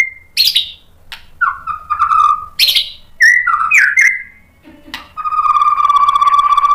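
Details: White-rumped shama song used to provoke other shamas; separate whistled notes and harsh bursts, ending in a long steady whistle with a buzzy edge.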